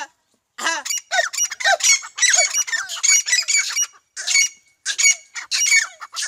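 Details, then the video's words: Teetar partridge, called Iranian, giving loud harsh rasping calls in close succession, each with a bright ringing overtone, after a brief silent start and with short gaps later. "Bhora teetar ki awaz Best voice irani teetar"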